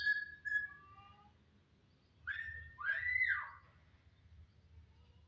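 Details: Jalak, a starling, gives a few short whistled notes, then two long, loud sweeping whistles that rise and fall, each lasting about a second, followed by quiet.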